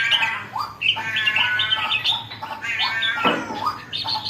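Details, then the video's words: Red-whiskered bulbul just becoming excited, delivering rich, slightly rasping warbled phrases and brief whistled upslurs in a near-continuous stream, with a low background hum. "sora burung jambul baru nak galak"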